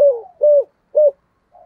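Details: Spotted dove, 'giọng thổ' voice type, a keen daily-calling lure bird. Three mellow coos, the first sliding down, the next two short and even, ending with a faint trailing note.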